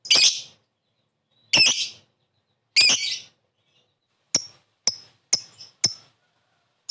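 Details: Lovebird calling with ngetik and ngekek sounds, used as a lure to get a quick response: three harsh, shrill screeching calls spaced over three seconds, then five short, sharp high ticks in quick succession.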